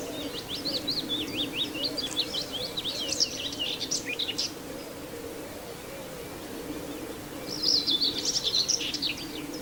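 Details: Common whitethroat near Wells-next-the-Sea giving a long, rapid, scratchy warble of jerky high notes for about four seconds, then a shorter burst after a pause, with steady low hum beneath.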